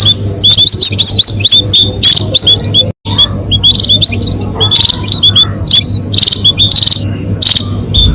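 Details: Munia calls played to lure birds for catching: busy chorus of high, sharp, twittering chirps from several birds, briefly cut off near the third second, over a persistent low hum.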